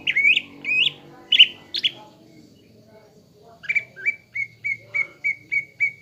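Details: Greater green leafbird, caged, singing a lure song meant to trigger fighting emotion: loud swooping whistles and chirps, a pause, then a steady series of eight short even whistled notes.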